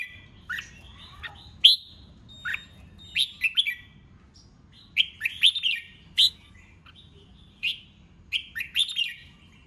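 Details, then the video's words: Red-whiskered bulbul contest song used to spur newly caught birds into singing in the 'ché chét' voice: short bright whistled phrases, rising and falling notes in bursts with pauses between, faint low hum beneath. "Chào Mào Kích Bổi Nhanh Ra Giọng CHÉ CHÉT,Kích Chào Mào Hót Đấu"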